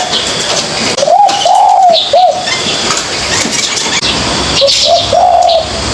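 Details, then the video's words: Young spotted dove practising its coo: short arched, slightly quavering coo notes in two uneven bursts separated by a pause, over steady broadband background hiss. "chim cu gáy non tập gáy"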